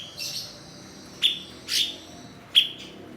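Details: Blue-winged leafbird, or cucak cungkok, a mimic kept as a tutor for songbirds. It gives a soft wheezy note, then alternates sharp high clicks with harsh, buzzy rasps across about three seconds.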